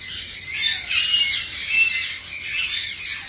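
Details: Australian parrots in winter, squawking while being fed corn cobs: a dense, continuous chorus of harsh overlapping chatter from many birds.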